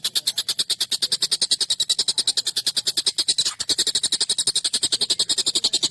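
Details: Long, sharp, harsh call of an agitated collared kingfisher, used as a training master for songbirds: a rapid, relentless chain of grating notes, briefly louder and rougher around the midpoint.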